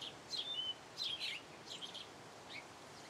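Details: Brief burst of house sparrow chirping, a cluster of tangled high twittering notes in the first second and a half, then fainter scattered cheeps, with gentle background noise.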